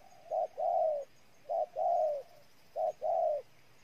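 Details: Spotted dove, Ninh Thuận, Vietnam, with three evenly spaced low phrases roughly every 1.3 seconds. Each is a short soft note, then a longer smooth coo that slides gently down at the end. The setting is otherwise quiet.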